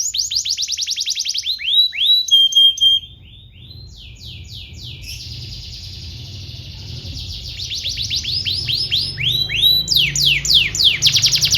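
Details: Canary singing a long-duration training song meant to tutor young canaries, with rapid downward-swept whistled notes, a sustained buzzy roll, then more fast repeated sweeps and a rattling trill at the end.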